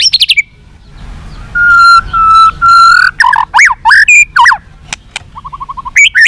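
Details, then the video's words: White-rumped shama giving a long fighting song: quick high notes, three long steady mid-pitched whistles, looping slurred phrases, a fast run of soft low chips, then bright whistles again. "chòe lửa kéo dây dài cực phê. đập tạch đuôi kích đấu. chòe lửa hót giọng dài kích lửa"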